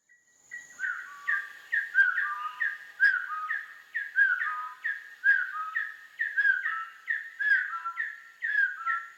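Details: Bar-backed Partridge (Arborophila brunneopectus) at a forest hide by a waterhole just outside Kaeng Krachan National Park, Thailand, giving a long run of mellow, slightly dropping whistled notes, about two per second, over a thin, steady high insect hum.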